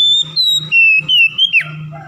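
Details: Lure song of an Oriental magpie-robin meant to prompt mute birds to start singing: loud, pure whistled notes held briefly at slightly shifting pitches, closing with a swift falling slur, over a faint low hum.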